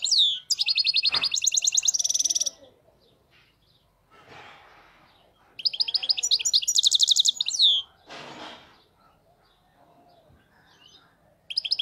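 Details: European goldfinch, a wild-caught bird, singing its error-free song: two loud bursts of fast, high, tinkling and buzzy trilled phrases separated by quieter gaps with soft rustles, and a new phrase starting at the end.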